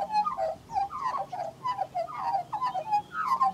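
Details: A female Australian magpie of the western race (Gymnorhina tibicen dorsalis) gives a soft, rambling mimicry warble of gurgles and slurred whistles, imitating other birds while tugging grass from the ground for her nest, over a faint low hum.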